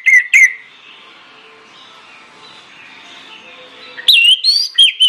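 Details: Orange-headed thrush, lure song meant to trigger other birds to sing. Two short whistled notes open the clip, and a lively phrase of twisting, looping whistles follows after a long quiet stretch.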